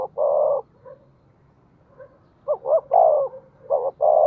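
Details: Decoy spotted dove, 'giọng thổ' voice style, calling readily: a long mellow hoot, a soft pause with faint murmurs, then a phrase of short rising coos and two full, deep hoots.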